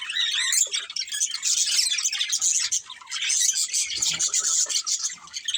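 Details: Pet budgerigars in a family group keep up a constant high, rippling chatter of warbled chirps and short tweets.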